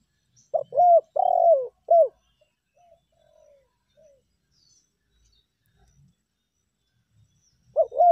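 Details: Spotted dove lure call, in the meratus style used to press a rival or the melambung style of ordinary calling when all is quiet: loud clipped coo notes in a quick group, soft fading coos, then another loud burst in a quiet outdoor setting.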